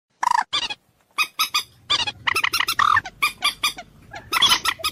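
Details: Common moorhen giving loud, harsh clucking notes in short bursts of two to four, separated by brief pauses, with one lower drawn-out honk near the middle; no other clear sounds.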